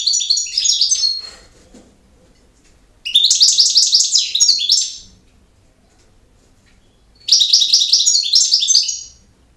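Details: A European goldfinch sings campero-style song in three separate phrases of rapid, liquid, high twittering, each lasting about one and a half seconds with silent pauses of roughly two seconds between them.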